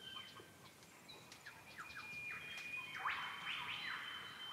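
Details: Several male Superb lyrebirds, near and distant, rehearse at dawn on a wintry morning by a mountain hut in Gippsland tree-fern gullies: varied clear whistles, sharp chirps, loud rising sweeps, thin sustained tones behind.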